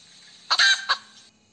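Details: Hen giving a single harsh, drawn-out squawking cackle note followed by a shorter clipped cluck, against a quiet background.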